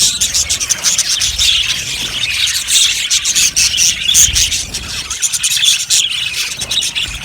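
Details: A colony of Australian budgerigars in an aviary gives constant high chirping and warbling, with a few clear thin whistles standing out over the flock's chatter.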